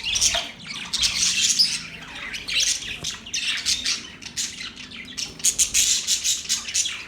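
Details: Squawking and warbling budgerigars, bursts of high raspy chatter pulsing in waves, ending with a run of sharper chirps.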